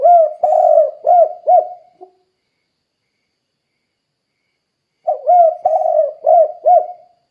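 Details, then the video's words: Spotted dove call used as a lure to prompt other doves to call: a mellow, hollow phrase of rolling and clipped coos, sung once, then repeated after about three seconds of silence. No other sounds. "Suara Burung Tekukur Gacor Kuk 2 Untuk Pancingan Derkuku Biar Cepat Bunyi"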